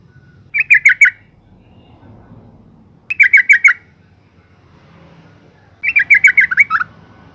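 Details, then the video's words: The luring call of a female yellow-vented bulbul, given to stimulate males. Three chattering bursts come about two and a half seconds apart; the first two are short, and the last is longer and falls away into lower notes. "suara panggilan burung trucuk betina"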